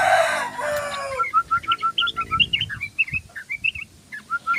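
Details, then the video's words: After a loud, harsh, crowing-like opening burst, a tame sooty-headed bulbul sings rapid 'ropel' song: about twenty crisp, short whistled notes alternating between lower and higher pitches at a steady, quick pace. "Burung Trucukan_Trucuk Ropel_Gacor Ropel_Trucuk jinak"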